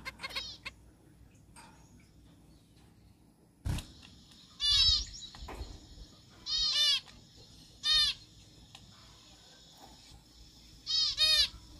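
A zebra finch gives bursts of nasal, toy-trumpet-like notes separated by quiet pauses.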